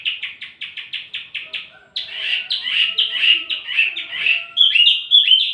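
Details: Wambi mini song for luring and tutoring songbirds: about eight even, quick chirps in a row, then a fuller, rapid squeaky warble ending in whistled slurs.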